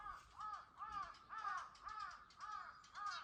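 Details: Raucous crow calls at dawn: seven hoarse, arching caws repeated about twice per second in a steady rhythm, with no other clear sounds.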